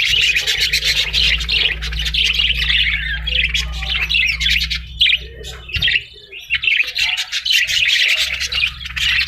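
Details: Parrot chattering in long runs of scratchy, buzzy squawks and chirps, briefly breaking off near the middle before resuming, with a low steady hum underneath for the first half.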